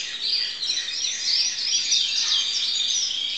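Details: Crested canary singing, recorded in 2012: a dense, high warbling stream of rapid chirps and rolling trills that rises and falls continuously, with a faint hiss behind it.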